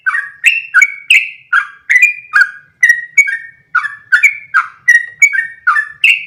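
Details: Yellow-vented bulbul giving a long unbroken ropel song in one breath, kept as training material for other bulbuls: rapid chattering, slurred phrases rising and falling, about fifteen in quick succession, bright and close with a silent background.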